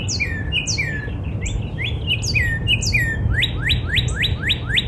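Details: A northern cardinal sings in a spring backyard: down-slurred whistled notes repeated in pairs, then a switch to six quick rising whistles, with high chirping from other birds throughout.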